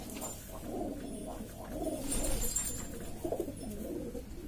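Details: Domestic pigeons of various varieties from East Lombok, Indonesia, kept by hobbyists, calling noisily together: low overlapping cooing murmurs throughout, with faint clatter in the background.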